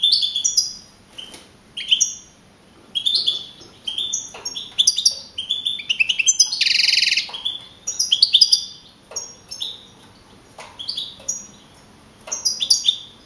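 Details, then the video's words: European goldfinch of wild type, a young male that won a singing contest in Navalcarnero, Spain, on 15 April 2012. Continuous bright twittering phrases with trilled notes and a loud harsh buzz mid-song. "JILGUERO CAMPERO CAMPEON 2012"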